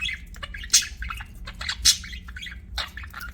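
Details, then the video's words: Rapid budgie chirping, pets: fast scratchy ticks and warbles punctuated by two piercing high squeaks, low hum beneath. "BUDGIES CHIRPING SOUND"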